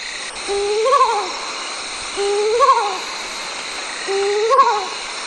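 Mottled Wood Owl giving three quavering, wavering hoots about two seconds apart, each rising then falling, over a steady background hiss.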